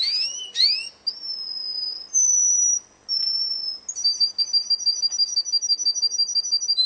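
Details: Russian canary singing in a contest: rising whistled sweeps, then long pure sustained whistles shifting in pitch, ending in a quick rhythmic trill of about three notes per second.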